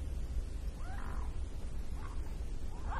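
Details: Gentle calls of mute swans on the water come as three short nasal notes: a longer curved one first, then two brief ones, set against a constant low rumbling background.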